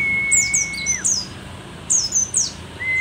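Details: Old but lively mountain white-eye, rare pleci dakun endemic to Merapi, sings two bursts of sharp, high descending tweets, while a long flat mid-pitched whistle runs underneath and starts again at the end.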